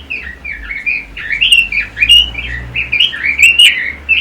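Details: Red-billed leiothrix pouring out a continuous, high, warbled song of quick looping whistles and chirps, each note swooping up or down, with a faint low hum underneath.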